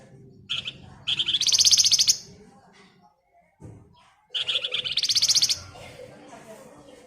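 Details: Flamboyan female calling the male: two bursts of short chirps, each rushing into a dense, buzzy, rising trill of about a second, separated by a gap with a faint knock and low background noise.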